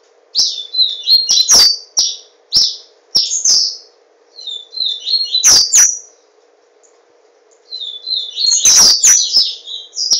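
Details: Owned Yellow-bellied seedeater (papa-capim) in Garanhuns, Pernambuco, Brazil, sings three bursts of rapid, high, chattering twitters separated by short silences, accompanied by sharp clicking knocks and a steady low background hum.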